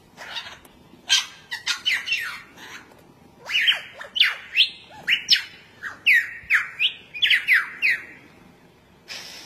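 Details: Courting superb lyrebird, an Australian passerine: a series of falling, slurred whistles repeated in quick succession, interspersed with harsh buzzy bursts, over a faint background hiss.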